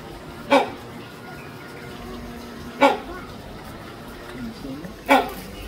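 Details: Captive great hornbill (Great Indian Hornbill) at Taipei Zoo giving three loud, harsh, barking calls, each a short broad honk spaced about two and a half seconds apart, over a steady low murmur of background noise.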